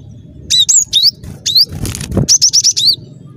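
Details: Energetic cinereous tit song, used as a lure for catching birds: dense bursts of high slurred chirps, a brief rustle of wing-like noise midway, then a quick run of four rapid upswept notes ending on a falling one.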